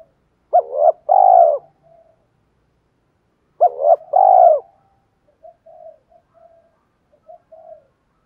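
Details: A 'thổ' voiced spotted dove kept as a lure coos twice, roughly three seconds apart. Each phrase runs from a broken double note into a long, round coo, and faint low murmured notes follow.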